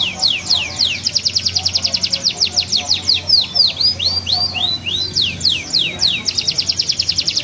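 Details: Canary of the green AF type, singing a rich patterned song: fast repeated high chirps, then rising and falling whistled slurs, then rapid trills again, with faint low background hum.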